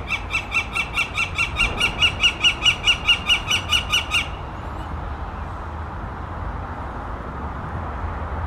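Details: Northern Flicker, heard from a distance on 7 May 2020 in Central Park, Burnaby, BC, Canada, head poking from its tree-hole nest: a quick run of about eighteen loud, even, nasal notes, four per second, stopping abruptly, over low wind or traffic rumble.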